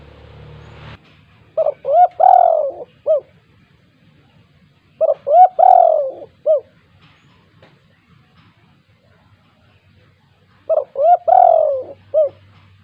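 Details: Spotted dove in the 'kuk 2' calling style, used to prompt sluggish doves into calling: three separate coo phrases a few seconds apart, each of short notes around one long slurred, descending coo.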